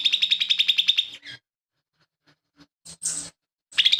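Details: Lesser green leafbird in active song, with mimicked phrases of gereja tarung, tengkek buto and cililin, used as a tutor recording for songbirds: a second of fast, evenly repeated high chattering notes, then short harsh bursts separated by pauses.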